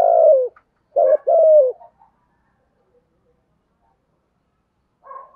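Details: Spotted dove, 'giọng thổ' voice, 'thúc gù' cooing meant to draw and train doves. One low, falling coo, then a clipped double coo, silence, and a faint rustle.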